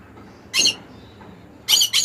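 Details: A conure's loud, rasping call, one squawk followed after a second's quiet by two quick harsh squawks in a row.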